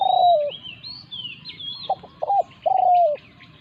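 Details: Spotted dove decoy in a territorial encounter with a wild resident bird, Thailand. A long falling coo opens, then two brief notes lead into another drawn-out descending coo. Faint high twittering from other birds sits above.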